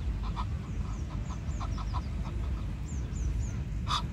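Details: Male Egyptian goose, one of a chatty pair in a park, gives a rapid run of short, hoarse calls, several a second, over a steady low rumble and faint high chirps from smaller birds.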